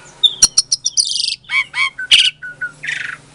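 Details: Asian pied starling, bred in captivity in Klaten, Indonesia, singing to provoke silent starlings: quick sharp clicks and chirps, a trilled buzzy phrase, then lower slurred whistles and a final rough burst, over a faint low hum.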